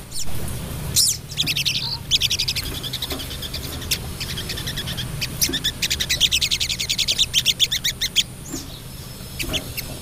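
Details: A female Crested Jay, calling to a male, gives harsh, buzzy notes, then a long, fast, dry rattle of rapid clicks, over a steady low hum.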